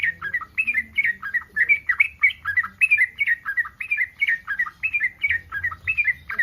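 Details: Yellow-vented bulbul in breeding condition, calling to provoke other bulbuls into answering: bubbly, chirping phrases of rising and falling notes, repeated about once a second with little pause, steady and lively throughout.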